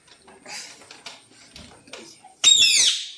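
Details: Pet parrot in a home in the morning, waking the household; quiet rustling and faint indoor noise, then a sudden loud, harsh, high screech of about one second that falls off at the end.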